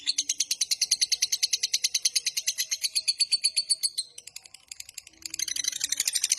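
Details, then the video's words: A lovebird's long ngekek trill, used as master audio to lure and train lovebirds: about four seconds of rapid, regular, piercing high chirps, a short softer gap, then a harsher, buzzier chatter. "Suara MASTERAN Burung LOVEBIRD Ngekek Panjang Paling Cepat Dan Ampuh Untuk Memancing"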